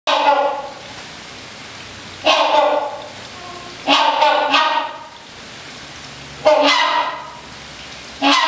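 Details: Rhinoceros hornbill calling at Milwaukee Zoo: loud, nasal, harmonically rich honks in bursts, some doubled, separated by pauses of one to two seconds, in an echoing space.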